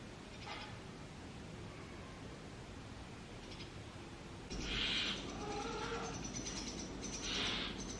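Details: Brahminy starling chicks in a nest box, once a sparrow box, fed insects by their parents; after a quiet start, two harsh, hissing rasps burst out about two seconds apart.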